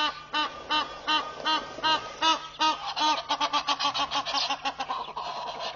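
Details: Egyptian geese, a pair displaying at Pete's Pond in Botswana's Mashatu Game Reserve on 11 July 2013. Rhythmic braying honks come about every half second, then give way to faster, rougher, overlapping cackles near the end.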